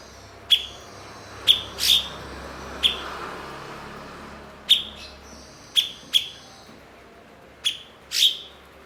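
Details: Blue-winged leafbird (cucak cungkok), a mimic of other birds, kept as a master bird. Isolated crisp high chips and occasional doubled or rasping notes are spaced irregularly over a faint, steady background hum.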